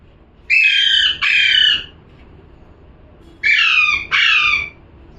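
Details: Parrot calling in two bursts, each a pair of harsh, rasping squawks in quick succession, with a short quiet pause between the pairs.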